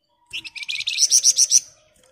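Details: Sunda bush warbler singing in dense ngebren style: a quick stuttering build-up of chips runs straight into a series of about six loud, piercing high whistles.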